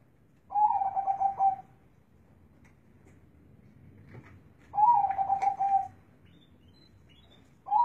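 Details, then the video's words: Zebra dove with a large, bass-heavy voice, giving two full phrases of fast pulsed cooing about four seconds apart, each ending on a held low note. The next phrase begins at the very end. "suara burung perkutut suaranya besar dan ngebass"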